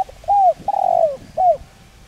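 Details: Spotted dove giving its calling coo, a voice used to stimulate and train decoy birds; three low, mellow arched coos, the middle one long and slurring downward, over a quiet background.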